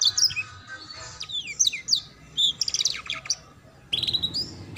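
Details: Canary song for teaching young canaries the ngeriwik sound, with high slurred whistles and downward sweeps in scattered bursts, then a buzzy trill at the end.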